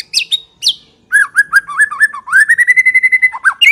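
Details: White-rumped shama song meant to lure shamas into replying and singing steadily: two high, sharply falling whistles, then a run of quick repeated notes ending in a steady whistled trill.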